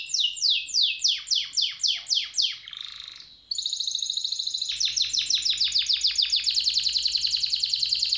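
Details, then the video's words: Canary singing: a series of high, descending slurred notes repeated about three per second, a short buzzy rattle, then a rapid, even, rolling trill of fast repeated notes, over a faint low hum. "تغريد الكناري"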